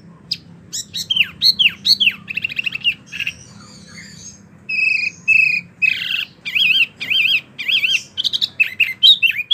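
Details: Wambie mini singing vigorously as a training tutor for contest birds: swept whistles and buzzy trills give way to repeated warbled, wavering notes delivered in an uneven, rhythmic series.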